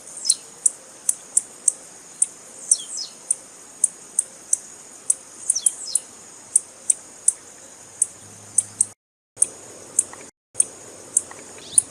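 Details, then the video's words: Female blue-black grassquit calling to excite males into song. Crisp high chip notes come steadily about every half second, with occasional thin downslurred squeaks and two short silent gaps. "Piado de fêmea de tiziu Para Esquentar Tiziu"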